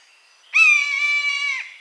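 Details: Buzzard in natural habitat giving one long, steady, rasping mewing call of roughly a second, with a short drop at the end. Very faint background.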